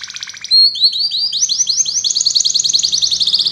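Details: Atlantic canary song for training young canaries to sing: a buzzy trill opening, then a sustained loud whistle leading into a quickening run of repeated slurred notes that merge into a rapid trill.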